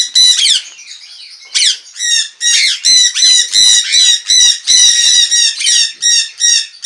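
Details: Jenday conures in an aviary in the morning: brief scratchy chatter, then loud, harsh, grating screeches, almost three each second.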